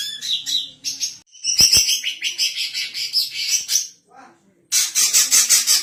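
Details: Female greater green leafbird in full song, kept for training other birds and as a lure; busy high chattering and twittering phrases, rapid notes with short pauses, ending in a dense ringing burst.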